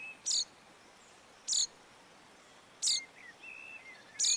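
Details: Common chaffinch recorded in the Montes de León, Spain, in March 2022 gives four sharp, high, metallic call notes, one roughly every second and a half, with faint thin whistles from another bird behind.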